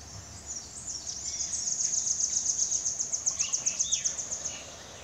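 Velvet-fronted nuthatch giving a very high, thin, rapid run of sharp chipping notes that speeds up and then stops, with a faint lower bird note near the end.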